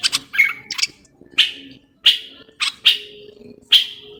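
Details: Moroccan common bulbul singing: short bright whistled phrases, some slurred downward, given in bursts about every second with brief silent gaps between them.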